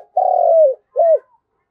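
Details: Spotted dove calling the flock, giving a long, slightly falling coo followed by a shorter arched coo, clear and loud with no other sounds.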